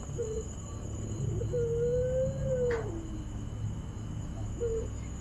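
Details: Puter pelung dove cooing at night on 1 Suro: one long, smooth, slightly rising then falling drawn-out coo, with short clipped coos before and after, over steady low hum and faint insect-like background.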